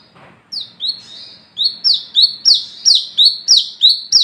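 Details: Olive-backed sunbird (local name wiceh or kolibri kelapa) song used as a lure: a fast run of sharp, high, down-slurred notes, about three per second, growing louder after a few softer opening notes.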